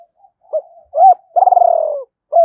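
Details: Lure spotted dove, Vietnamese Hai Hậu type, calling to attract wild doves; soft short coos lead into a long tremulous note sliding gently down, then another coo begins.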